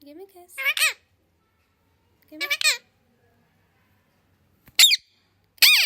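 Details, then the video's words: Parrot kept as a pet, said to talk in multiple languages; four short, separate bursts of shrill, speech-like syllables spaced by long silences, a lower voice at the start. "Parrot sound ❤️My parrot can speak Hindi , English, Urdu,Kannada Malayali and Telugu"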